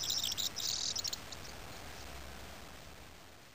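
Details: Corn bunting (Miliaria calandra) in the Golan Heights, Israel, on 14 February 2010: a brief, high, jangling rattle lasts about a second, then fades into quiet background with a faint low rumble.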